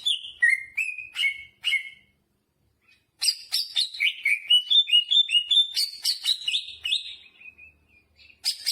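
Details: Greater green leafbird in vigorous full song with jamtrok fill-in phrases: a few clear whistled notes, a pause of over a second, then a long run of rapid, sliding, slurred whistles stepping downward in pitch.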